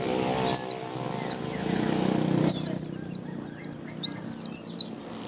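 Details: White-eye ngalas song for luring other white-eyes into song: scattered high slurred chirps over a humming background, then a dense rapid burst of thin descending notes.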